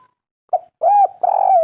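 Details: Derkuku, the spotted dove, of a local native line giving kuk 3 coos: a short soft note, then a rounded arched coo and a long level coo that runs to the end.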